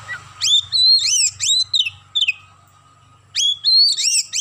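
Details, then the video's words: Oriental magpie-robin in full song, with sparrow-style chirping worked into the phrase. Loud, sharp, upslurred chirps run in a rapid string, then a silent gap, then another burst of similar notes. A faint low hum sits underneath. "KACER GACOR ISIAN GEREJA"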